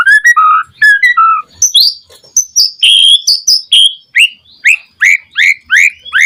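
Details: White-rumped shama in vigorous song as a lure for other shamas: mellow low whistles at first, then a steady series of piercing, high downslurred whistled notes repeated roughly every third of a second.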